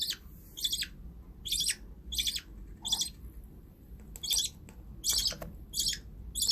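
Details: Pet budgies producing rough, buzzy chirps at uneven intervals, some paired close together and others after short gaps, about eleven in under seven seconds, against a low constant hum.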